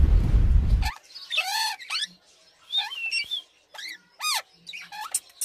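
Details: Pet parakeet imitating budgerigars: a run of squawky, chattering notes with bending, arched and hooked pitch sweeps, separated by short gaps, after a loud burst of low rumbling noise at the start.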